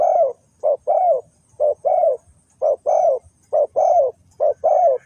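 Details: Spotted dove from Ninh Thuận, used in bird trapping, giving clear mellow coos in paired short-then-longer notes, the longer ones slurring downward, repeated steadily about once a second against a quiet background with faint high insect hiss.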